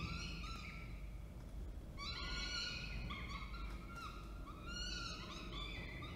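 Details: Falcon pair at Orange, NSW, 19 October 2024, with the male bringing food and the female feeding. A few drawn-out wailing cries, then a denser burst of overlapping nasal calls from two seconds on, over low hum.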